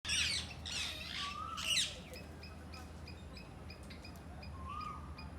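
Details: Parakeets in a yard give three harsh, grating squawks in the first two seconds, then quieter ticks and a couple of faint whistles over a low outdoor hum.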